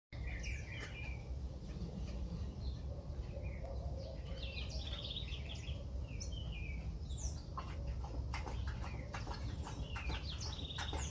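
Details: Ultramarine grosbeak singing in the morning: short warbled whistled phrases, some rising and falling, repeated with brief pauses over a constant low rumble of background noise.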